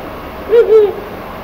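A Ural Owl gives two quick, low, mellow hoots, the second slightly longer, against a quiet background.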